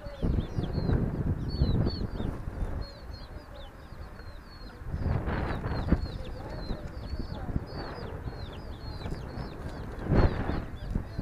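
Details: Roosters and hens give low, broad clucking bursts at irregular intervals, the strongest near six and ten seconds, while small birds chirp high and thin almost continuously in the background.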